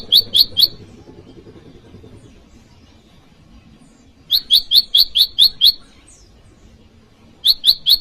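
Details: Bar-winged prinia luring call for wild birds and cage-bird training: short volleys of three to seven ringing high chips, spaced by quiet intervals of a few seconds.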